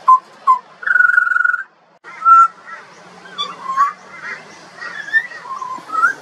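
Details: Juvenile pied butcherbird singing: short whistles, then a long rapidly trilled note, a clear whistle, and a rambling sequence of wavering, rising and falling whistled notes.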